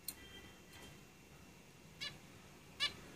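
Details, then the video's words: Zebra finches in a cage, three brief bright calls spread over three seconds, the last the loudest and most clearly buzzy-nasal, over a soft background hiss. "Zebra Finches Singing in the cage"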